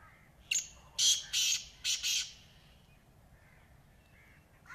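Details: Black francolin (kala teetar) calling: a harsh, grating phrase of five loud, rasping notes delivered in quick succession over about two seconds, the last two closely paired, with a faint, softer call from another bird in the quiet background.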